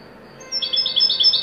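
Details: Goldfinch song in widani style: a rapid high twittering run of paired chirps with a thin whistled overtone, beginning abruptly after brief quiet.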